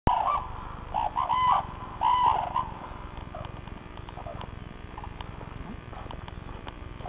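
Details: Red-crowned cranes (Grus japonensis), many birds at a crane sanctuary in Tsurui village, Japan, give three loud, ringing bugled calls in the first few seconds, then softer scattered calls from others in the flock over a steady hum.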